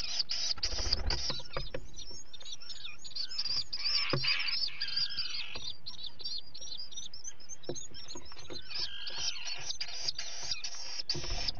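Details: At a 11 July 2020 feeding captured by live camera, a common guillemot chick gives long stretches of shrill, overlapping piping calls with occasional short upswept notes; low rumbling noise and a few knocks underneath.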